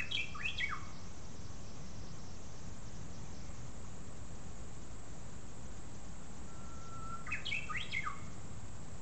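A Japanese bush warbler gives two song phrases: a clipped, jerky flourish, then a long steady whistle sliding into a quick falling 'hokekyo', over low rumbling background noise.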